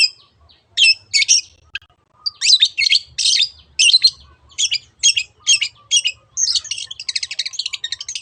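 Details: Long-tailed shrike 'teot teot' lure song meant to stimulate other birds. Grating bursts come in a steady series, ending in a rapid, rattling trill of many quick repeated notes.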